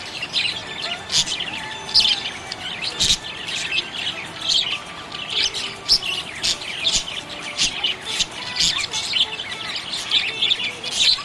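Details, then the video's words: Happy budgerigar chirping steadily: a long run of high clicky chirps, warbles and short squawks, fairly even in loudness with frequent sharp peaks. "Happy budgie chirping sound"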